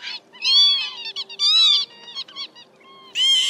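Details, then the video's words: Northern lapwing lure call for night-net trapping of migrating birds, meant to call a flock of males and females: three wheezy, nasal slurred calls arching up then down, about one per second, over a faint low hum. "Te Te Mào Tiếng Chuẩn Gọi bầy trống mái"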